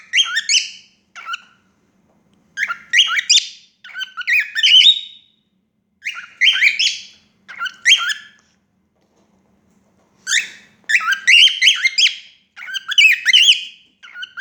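A female cockatiel gives bursts of bright, chirpy whistled notes in short repeated phrases.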